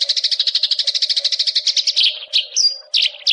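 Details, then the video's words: Eurasian tree sparrows in a fight, making long chirping calls: fast, even series of bright high chirps, about three per second, breaking into looser squeaky notes near the end over a faint low hum. "Suara Burung Gereja Tarung,,Nyrecet panjang"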